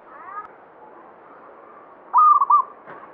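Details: Local zebra dove, banyumili song style: after faint, soft cooing, a loud burst of rapid broken coo notes comes near the end.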